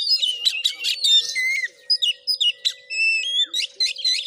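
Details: Oriental magpie-robin in fighting mood, Padang Gading village, Bengkulu, Indonesia; burst of harsh chattering and whistles, then separate clear whistled notes and short chips spaced apart, with a faint electrical hum.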